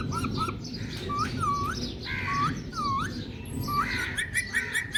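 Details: Ring-necked parakeet at a mirror, chattering in a string of dipping, bowl-shaped whistled notes, a few scratchy squeaks and brief high chirps, all delivered in an uneven rhythm.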